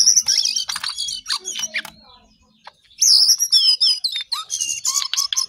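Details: Energetic cingcoang coklat song: a tumbling stream of shrill whistles and chirps, a pause of about a second, then a renewed rush of fast high twittering notes.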